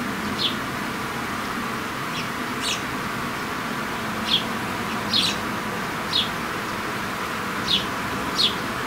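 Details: Sparrow mother feeding her fairly grown chicks; short, high chirps, about eight in nine seconds at an uneven pace, rise above a steady hiss of background noise.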